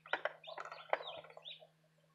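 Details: Light Brahma chicks, newly hatched a day early, give a brief cluster of high chirps and peeps lasting under two seconds, indoors with a faint steady hum.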